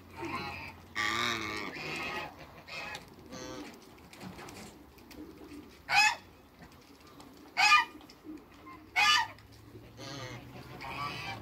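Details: Backyard African geese, a trio of two males and one female with other waterbirds nearby, honk repeatedly: a run of nasal calls at first, then three sharp loud blasts spaced about one and a half seconds apart.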